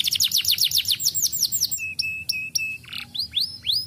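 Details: Canary in lively song, used to encourage young birds to start singing: opens with a rapid, shrill trill of curved notes, then steady flat whistles, a short buzz and rising upswept notes.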